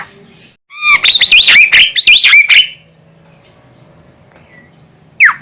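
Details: Female Javan myna giving calls suited to luring birds: a dense burst of loud squawky, warbling notes with wavering pitch lasting about two seconds, then quiet, then one sharp squawk.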